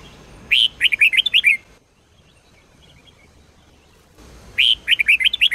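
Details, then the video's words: Red-whiskered bulbul song in the Sông Kôn style, meant for training: two fast phrases of six or seven sharp, bouncy whistles, separated by about three seconds of quiet. "chào mào SÔNG KÔN hót cực hay , dùng luyện chào mào mỗi ngày , luyện chào mào hót căng lửa"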